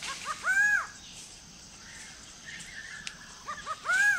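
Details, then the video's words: Greater Racket-tailed Drongo calling in forest at Kulen National Park, Cambodia, by a drinking pool: a loud arched, ringing note preceded by short stuttering clicks, repeated after about three and a half seconds, with faint other birds behind. "The call from Greater Racket-tailed Drongo"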